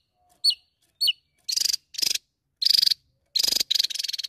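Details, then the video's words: Javan tesia in full voice, challenging a rival: two quick, high chirps followed by five brief, harsh, buzzy rattling bursts, each made of rapid pulses, given in close succession. "TESIA JAWA Gacor N3mbak Memanggil Lawan"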